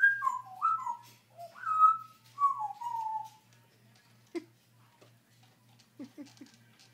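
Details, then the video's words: Pet African grey parrot indoors, vocalizing loudly to compete with a television for attention; a run of clear whistled notes sliding downward in varied short phrases, then a few sharp clicks and low squeaks, over a steady pulsing hum. "bird talking"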